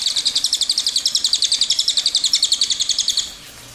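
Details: High, quick trill of a cililin's long rolling song, steady notes about four per second for some three seconds, then fading to quiet.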